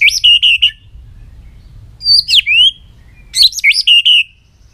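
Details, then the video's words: White-rumped shama with varied song: three short phrases, each a sharp rising note and looping whistle ending in clear drawn-out tones, separated by brief pauses. "chòe lửa hót giọng dây dài.đập đuôi sàn cầu đảo giọng kích thích căng lửa chòe lửa hót nhiều giọng"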